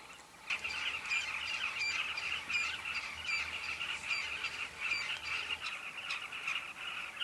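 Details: Carmine bee-eaters at their breeding colony, Kavinga Safari Camp, in a steady chorus of rolling chirps, with sharper high ticking notes repeating roughly every three-quarters of a second and a faint low hum underneath.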